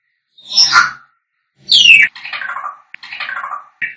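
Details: African grey parrots singing and whistling: a harsh, screechy call, then a sliding downward whistle and several buzzy, grating notes in quick succession.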